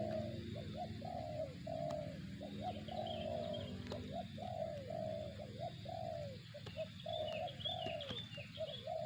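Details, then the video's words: Zong-type cooing of a spotted dove in a long unbroken run. Quick double coos lead into a sustained falling coo, again and again, with a low background drone and scattered high twitters from other birds. "suara burung tekukur target zong"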